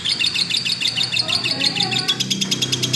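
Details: Lovebird in full voice: quick, high, squeaky chirps in an unbroken stream, with low murmuring sounds in the background throughout.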